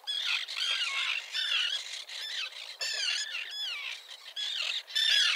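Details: Breeding Common terns with chicks at Liepāja, Latvia, June 2024, 1.5 km from the shore. Harsh squawks in varied bursts, some sliding downward, overlap from several birds with short pauses between.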